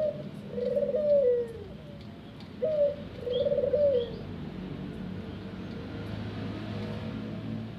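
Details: Ringneck dove in a home aviary giving two low, rolling coos, each about a second and a half long and opened by a short lead-in note, separated by a brief pause over a faint steady background hum.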